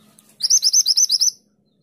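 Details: Mantenan gunung singing a brief, fast run of about eight shrill, rising 'tulit' notes, roughly one second long, as a master recording for training songbirds; otherwise quiet.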